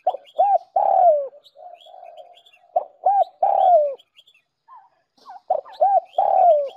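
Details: Spotted dove cooing from a lure recording meant to make decoy birds coo: three phrases, each a clipped double note and a long descending coo, about every 2.5 seconds. Soft lower coos and faint high chirps fill the pauses.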